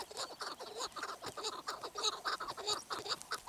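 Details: Chukar partridge uttering a steady string of harsh, clucking notes with a slightly rising, hollow quality, closely spaced and overlapping as if from more than one bird.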